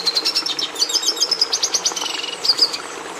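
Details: Red siskin in rapid song, a stream of high chirps leading into a drawn-out buzzy trill, then a few final twitters before falling quiet, with soft background hum.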